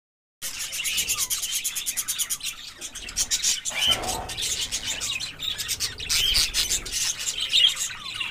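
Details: A breeding colony of 30 pairs of budgerigars chatters nonstop, a dense wash of warbles, chirps and squeaky tweets.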